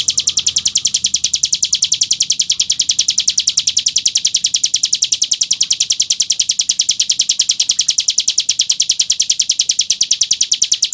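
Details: A hill prinia, recorded as a master song for training other birds, sings a long, unbroken run of rapid, high, sharp notes, about three or four a second, clear and steady with no other sounds.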